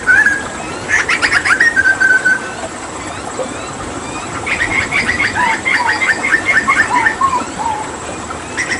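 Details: Hooded butcherbird, Papuan mimic, giving a whistled phrase with sharp clicks, then a rapid chattering run of notes that slides downward into lower whistles.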